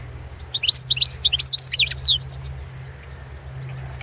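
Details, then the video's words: European goldfinch of the balcanica subspecies singing for a 2017 world song competition: one fast, bright burst of tinkling, slurred high notes lasting about two seconds, then quiet with a low background drone. "World championship in Goldfinch Song 2017"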